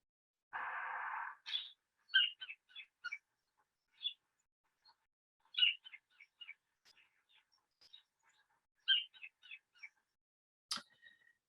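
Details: A sacred kingfisher (kōtare) gives its main call, said to signal coming rain or showers. Short, sharp, high notes come in quick runs of three to five, a few seconds apart, after a brief burst of hiss.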